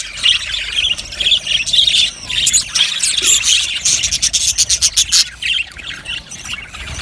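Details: Aviary colony of Australian budgerigars chirping together: busy, overlapping squeaky notes and warbles, building into rapid clicking bursts around the middle before easing off.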